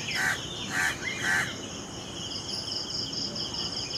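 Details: Crow calling near a mango tree: three harsh, nasal caws about half a second apart, over steady high insect buzzing and background noise.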